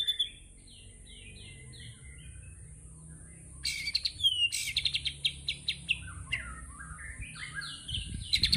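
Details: Murai batu 'tembakan' song of the white-rumped shama: soft descending whistled notes, then loud sudden bursts of rapid metallic rattles and chips, ending in quick varied whistles.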